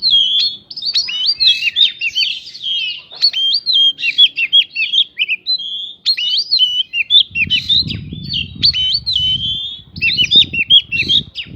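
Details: Provocation song of an Oriental magpie-robin, stuffed with prinia-like phrases to rile other songbirds: looping whistled notes and quick chips in dense bursts, with a low rumbling noise rising during the last seconds.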